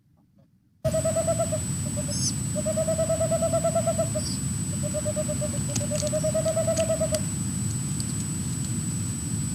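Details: Boreal Owls calling, a male and a female near the nest: fast runs of soft, even hoots on one mid pitch, several seconds long, with brief pauses between runs. Low rumbling background noise.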